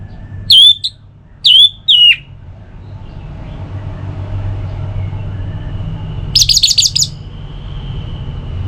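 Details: {'caption': 'Two clear slurred whistles from an orange-headed thrush, a short pause, then a fast buzzy trill lasting under a second, against low hum. Meant to get kept birds singing.'}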